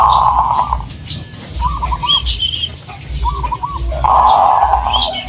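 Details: Zebra dove of the local blorok madu variety, a striped bird with white markings, used as a lure song for other doves: rolling trilled coos repeated in short bursts, with a higher chirp and a low background hum.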